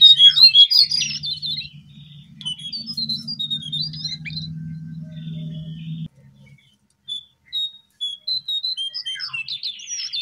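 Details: Babbler (jongkangan, brown cingcoang) in the wild where the birds are plentiful: scattered sharp high chirps and squeaky notes in bursts, with a steady low engine-like hum for the first six seconds, then quieter broken chirping.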